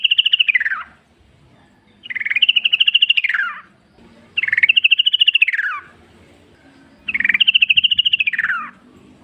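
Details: Wild yellow-vented bulbul in natural forest surroundings, a recording meant to coax other bulbuls into answering: four quick, bubbly chattering phrases that end in a falling slur, repeated roughly every two and a half seconds.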